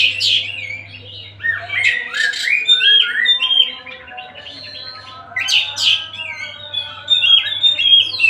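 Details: Kacer Tasik, an Oriental magpie-robin, singing at will. Loud scratchy bursts lead into slurred whistles and warbled runs, rising and falling. A softer middle passage is followed by more vigorous phrases, over a faint low hum.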